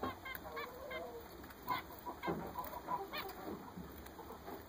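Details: A flock of recently bought zebra finches trading short, nasal, trumpet-like beeps, irregular and close together, with one bird's notes louder than the rest.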